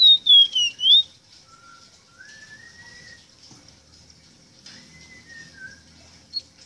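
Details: Ruddy-breasted seedeater (rosita) singing, a tutor song for teaching captive birds to sing: a loud burst of clear whistled notes dipping and rising in the first second, then faint drawn-out whistles over a quiet background.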